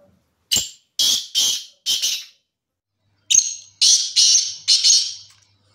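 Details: Black francolin repeating its rasping call twice, each phrase a run of four loud, grating notes about a second apart in total, separated by a short pause.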